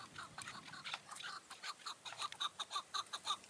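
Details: In June, near dusk on a mountain, a chukar partridge approached a trap gives rapid, harsh chuck notes, about two per second, growing into a steady rhythmic series.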